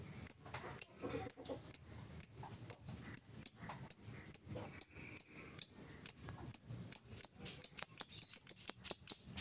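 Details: Lure recording of a lovebird's ngetik song, meant to start other lovebirds singing: bright, high ticks evenly repeated roughly twice a second, bunching into a quick burst toward the end.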